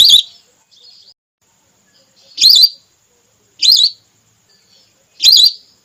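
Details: Female whistling duck call used as a hunting lure to bring down red or plain whistling ducks, played for net hunting: four short wavering whistled notes, each with a quick up-down twist, spaced roughly one to two seconds apart, with faint whistles between.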